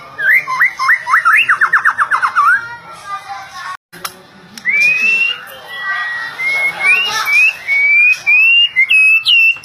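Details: Young white-rumped shama, Jambi type, opens with a fast series of sharply modulated whistled notes, then after a pause gives a string of clear rising whistles about twice a second, rising in pitch at the end, other birds behind.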